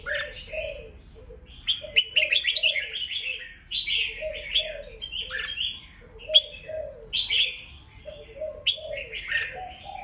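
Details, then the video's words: Red-whiskered bulbul contest song used to excite newly trapped birds: repeated bursts of bright, slurred whistles roughly every second, while a second, lower bird gives soft, rhythmic cooing notes throughout. "Kích chào mào hót đấu hay nhất,bổi nghe là hót theo,khiến bổi ức chế căng lửa"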